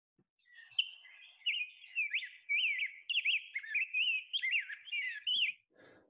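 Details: A Rose-breasted Grosbeak passing through South Carolina on spring migration before heading further north sings a long, sweet, robin-like warble of clear rising and falling whistled phrases, without any burry roughness, over about five seconds.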